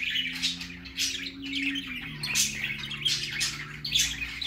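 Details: Young budgerigar's first time out, giving high warbled chirps and short squawks over a noticeable low tonal hum that shifts pitch partway through.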